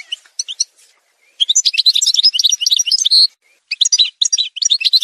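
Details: Algerian goldfinch singing in a montage recording: rapid twittering bursts of high, chirpy notes with a brief buzzy trill, separated by short pauses; no other sounds.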